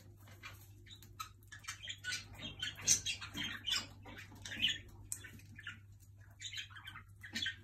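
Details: A Jenday conure annoying another bird gives scratchy, high chattering bursts and short squeaks at an uneven pace, over a low steady indoor hum.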